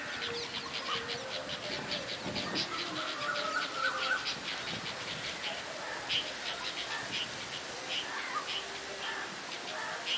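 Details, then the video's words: Red-vented bulbuls in the recordist's home area give loud, bright, liquid chirping calls while moving their wings, possibly to frighten an enemy, perhaps the recordist, over rapid dry chattering from other birds. "Red vented bulbuls' call"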